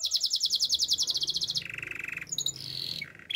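A Gloster canary sings a fast, bright trill of rapid repeated notes, then drops into a lower rolling phrase and ends with sharp whistled chirps.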